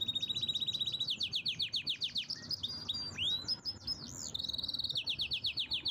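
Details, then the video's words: Canary in full powerful song, pouring out fast repeated syllables, sweeping slurred notes and rapid rolling trills that shift pitch every second or so, with barely a break. "Canary's most powerful song"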